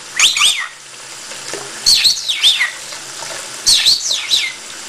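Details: Pet conure bathing in a bathroom sink under cold running water, giving bursts of high, squeaky chitters in clusters about every two seconds over a steady hiss of the flowing tap.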